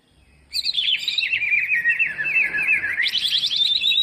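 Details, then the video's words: Lure song of a greater green leafbird, played to coax reluctant birds into singing: a sudden burst of fast, twittering, slurred whistles that dips lower, then jumps back up into a high rapid trill. "burung cucak ijo full isian buat pancingan yang malas bunyi"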